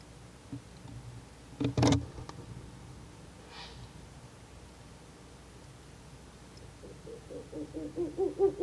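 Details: Ural owl at a nest-box camera in Japan on the night of 11 July 2023, from about 20:27, as a pair visits and the male (possibly a known bird) calls: a loud knock and quiet hiss, then a quick, swelling run of low hollow hoots.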